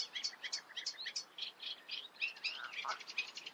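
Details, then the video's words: Eurasian reed warbler singing in the Eifel, a steady chattering run of short harsh notes, about three or four a second, with a few whistled accents and a lower churring note near the end. "Teichrohrsänger (Acrocephalus scirpaceus), Eurasian reed warbler"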